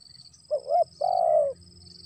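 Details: A single spotted dove phrase around the onset of rain: a brief hiccuping double note followed by a sustained soft coo, with faint insects buzzing high behind.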